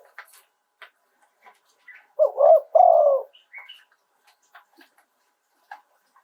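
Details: Spotted dove in Thailand, 'throw two kuk' song style, live: two rough rolling coos in the middle, with faint scattered chirps and clicks from other small birds around them.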